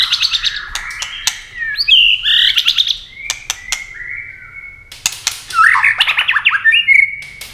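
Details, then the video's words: White-rumped shama competing in song, wings flashing and tail flicking continuously: buzzy chattered bursts, a long steady whistle in the middle, then another rough rising flourish ending in a bright note. "chòe lửa hót đấu tốc độ.nhá cánh chơi đuôi liên tục"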